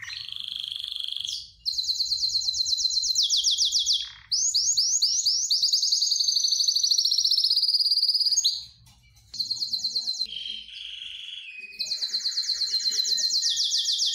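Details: Excited canary singing, eager to mate: loud rolling trills and rapid repeated whistled phrases broken by short pauses, with tours shifting in pitch and tempo across the recording, faint low clicks in the background.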